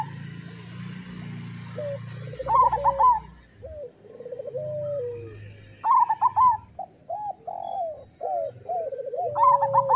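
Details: Zebra dove song from local birds, used as therapy to make doves sing quickly. Several groups of rapid bubbling trilled coos come every few seconds. Steadier flat coos run between them over a low rumbling hum.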